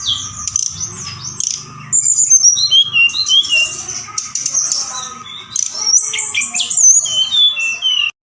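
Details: Forktail lure calling at night, intended to excite birds into answering; a jumble of buzzy notes, sharp high whistles and descending slurs, about four notes each second, ending abruptly.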